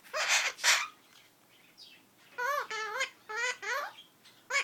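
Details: Pet female Princess parrot kept indoors since October 2013, imitating sneezing, fart noises and a few words. Two harsh, noisy sneeze-like bursts open, followed by a series of loud, harmonic, arching squawks in quick succession in a small room.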